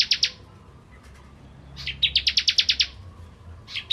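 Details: Crystal bar-winged prinia singing vigorously as a tutor recording for shamas: two quick chirps, a pause, then a fast burst of loud, clipped, high notes, with more chirps starting at the end over a faint low hum.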